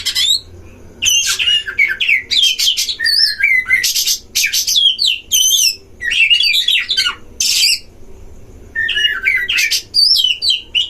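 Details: Oriental magpie-robin duel song at a breeding enclosure, meant to provoke other magpie-robins: dense, loud sequences of wavering whistles, trills and harsh rasps, nearly continuous with short silent breaks.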